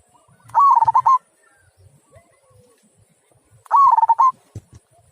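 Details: Local zebra dove with a big "kung" style voice gives two rapid, pulsing, warbled cooing phrases about three seconds apart, each a quick stuttering run of clear notes, with near silence between.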